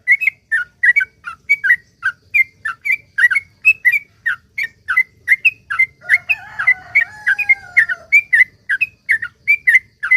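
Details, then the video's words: Lure recording of a sooty-headed bulbul's long 'ropel panjang' song to set other bulbuls singing: fast repeated short whistled slurs, about three a second, with a drawn-out lower tone sounding beneath for about two seconds midway. "suara trucuk gacor ROPEL PANJANG ampuh buat pancingan trucuk agar bunyi"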